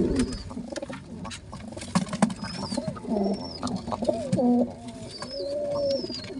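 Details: Father pigeon feeding two chicks simultaneously; scattered high, thin arched squeaks over low bubbling coo-like grunts, with sharp clicks and rustles from the feeding.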